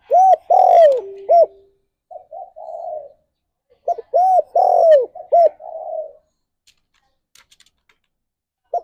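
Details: Spotted dove, a pet bird, singing: a series of mellow hooting coos, short rounded notes then a longer downward-sliding coo, repeated in two phrases with pauses between.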